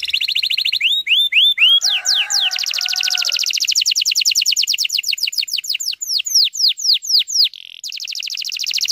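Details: A canary delivers a 'tembakan rapat' lure song for bringing young canaries into song. Short repeated whistled slurs give way to long, fast trills of sweeping notes. A soft lower warble runs briefly beneath, and one short pause breaks the phrase.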